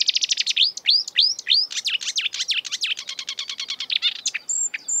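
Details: Exuberant marsh warbler singing in the breeding season, a mimic of European and African birds: rapid runs of buzzy repeated notes, then rising slurs and sharp chattering phrases with a high whistle at the end.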